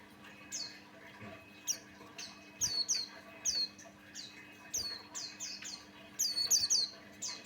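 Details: Buxtoni white-eye singing as a lure for other white-eyes: soft high chirps at first, building to brighter, rapid clusters of falling whistled notes toward the end, with a faint electrical hum throughout.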